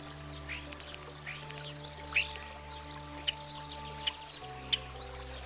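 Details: European Starling singing in mating season to impress potential partners: a jumbled mix of high clicks, sharp chips and short curling whistles in rapid bursts, over soft steady background music.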